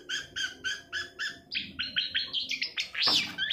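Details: Long-tailed shrike song played as a lure to stir silent or lazy shrikes into singing: a run of five evenly spaced harsh notes, then quicker varied chattering phrases rising higher, ending in a loud sweeping note.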